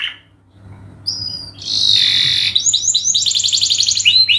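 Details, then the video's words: Long canary song meant as a lure: brief high notes, a steady whistled tone, a dense buzzy trill, then quick repeated downslurred chirps, with low background hum. "masteran burung kenari gacor panjang untuk pancingan"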